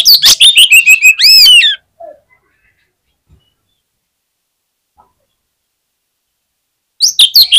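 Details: Oriental magpie-robin fighter at a song contest delivers a rapid string of harsh clipped notes and two looping arched whistles, then falls silent for several seconds before starting a new fast burst.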